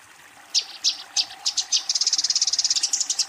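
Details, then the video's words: Eurasian tree sparrow calling its rival during a fight; after a short quiet, loud chirps come about three per second, then speed up into a dense, high chatter. "suara burung gereja tarung memanggil lawan"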